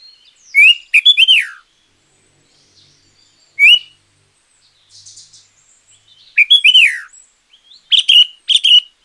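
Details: Sooty-headed bulbul song, a recording used as a lure for wild bulbuls or to train quiet caged birds. Loud, bright, slurred whistled phrases come in four bursts with short pauses between them.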